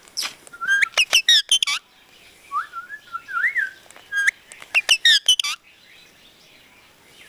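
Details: Parrot that talks Punjabi sentences, uttering rapid strings of bright harmonic syllables, a softer run of gliding whistled notes in the middle, then another dense burst of chirpy, speech-like sounds.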